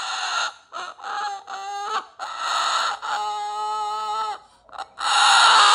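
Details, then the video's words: A pet cockatoo giving its 'roar': loud, harsh, buzzy squawks in short bursts, with one longer nasal, steady-pitched note in the middle. "ROAR!!! It’s the call of the wild!!"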